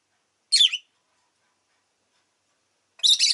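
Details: Two loud, grating chirps from a rosy-faced lovebird, about two and a half seconds apart, each a brief rasping burst.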